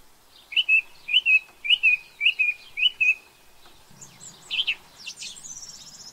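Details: New Zealand song thrush, an introduced bird, repeating one clear, slightly wavering whistled phrase five times at an even pace, then a burst of varied high chirps and twitters.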